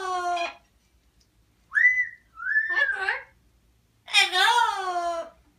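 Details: Pet parrot talking to a baby and its grandmother indoors in a small room: two harsh, strongly harmonic voice-like bursts frame a pair of smooth whistled tones, one rising and bending, the other drawn out and wavering.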